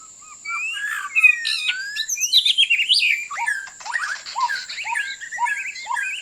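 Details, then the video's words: Sharp, clear white-rumped shama song used for trapping: an energetic sequence of jumping whistled notes, zigzag trills and quick descending phrases. "สียงนกกางเขนดง(บินหลาดง)เสียงต่อ คม ชัด"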